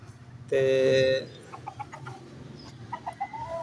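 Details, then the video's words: Aseel rooster gives one loud, brassy, steady-pitched crow under a second long in the early morning, followed by soft scattered clucks and quieter calls from hens over low background noise. "Aseel rooster crowing"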